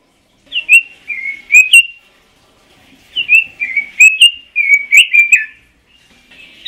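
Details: Pekin robin singing ngoceh: a short run of bouncing whistled notes, a pause of about a second, then a longer lively warble of rising and falling whistles.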